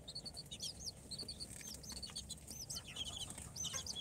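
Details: Four-day-old incubator-hatched chicks, Sultan, Golden Sebright, Cochin and booted breeds, peep constantly: high arched chirps tumbling over one another in a dense chorus, with soft rustling and a low background hum.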